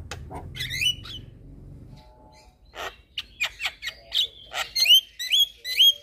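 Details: Chattering song of a white-eyed Javan myna, pumping as it sings to tutor young birds: low hum fades, then rapid harsh chirps, buzzy notes and rising whistles repeated about twice a second, growing louder.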